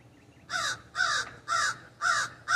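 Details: Backyard raven perched in an ash tree gives five loud, rough, grating caws, evenly spaced about every half second, each call short with a scratchy, throaty tone over a quiet background.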